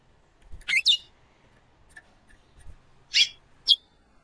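A female chestnut-bellied seed finch gives short, high, bright chirps, a quick pair at first and then two single notes about half a second apart, over faint background hiss.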